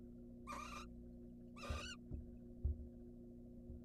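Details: An incubating wild barn owl in a nest box makes two short, harsh hissing screeches, followed by soft thumps and shuffling against a low hum.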